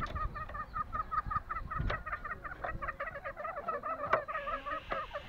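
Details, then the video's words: Green junglefowl recorded on Lombok: continuous fast series of hoarse, nasal, gobbling notes, rising and falling slightly, interrupted by a couple of sharp knocks, with a faint hiss at the end. "Ayam hutan hijau LOMBOK"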